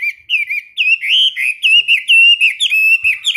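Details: Chinese hwamei kept in a cage, singing during daily morning training: a continuous run of loud, clear whistled notes, each slurring up and down, with brief gaps, no other sounds.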